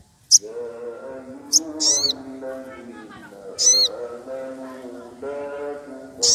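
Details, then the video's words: Excited wild sogon woodpecker calling out to a rival: several short high harsh notes and down-slurred calls scattered over a steady droning musical tone. "Sogon emosi cari lawan"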